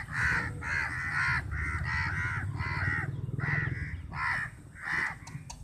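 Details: A big flock of crows fighting over a piece of chapati, harsh repeated caws coming in quick, uneven bursts, roughly eight calls, with a steady low rumble underneath.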